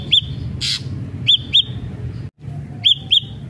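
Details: Ashy drongo song used as a lure to make other ashy drongos sing: short clear whistled notes, each a quick rising-falling arch, given singly or in pairs about every second, with a brief harsh burst and low background rumble.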